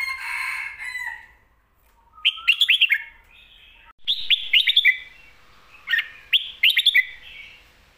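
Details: Caged Red-whiskered bulbul singing a full-repertoire, quick-delivered song style used for teaching young birds: bright whistled phrases of rapid, chopped notes, in three bursts spaced about two seconds apart, after a softer warbling opening.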